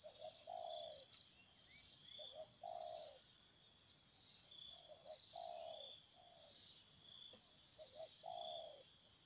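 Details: Repeated phrases of a wild spotted dove: quick double notes leading into a long, falling, hollow coo, given three times, with a constant shrill insect chorus behind.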